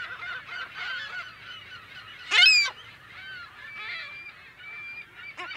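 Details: Colony of California gulls heard close to medium range in mono: a steady background of overlapping squealing calls, broken by one loud, harsh, close scream in the middle and a sharper call near the end.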